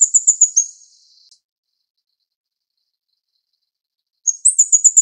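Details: Plain flowerpecker feeding its chicks; fast, high-pitched ticks end one burst at the start, followed by silence, then a fresh rapid ticking series begins near the end.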